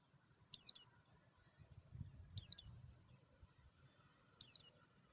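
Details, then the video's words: Oriental white-eye, Dakun type, in natural surroundings giving clean ngalas song: three evenly spaced bursts of high, falling double chirps about two seconds apart, and a soft low rumble in the background. "PLECI DAKUN NGALAS SUARA JERNIH"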